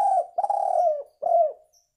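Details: Spotted dove sound for luring: a short coo, a long level note falling at its end, then a brief arched coo. The notes are deep and smooth, with little background sound.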